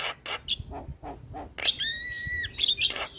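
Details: Javan myna in a tutoring recording for other mynas: scratchy rasps and low gurgles, then a drawn-out wavering whistled note layered over harsh buzzing, with more squeaks at the end.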